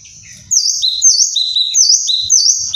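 Kinoi giving loud, high, sharp whistled notes that swoop down and up, repeated in quick rapid phrases about every half second.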